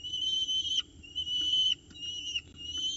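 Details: Peregrine falcon chicks in a nest box at Orange during the first breakfast at 9:36 am on 29 October 2018, as an adult drops off prey. Drawn-out whistled calls with a slight downward slur, in three long bursts separated by short gaps.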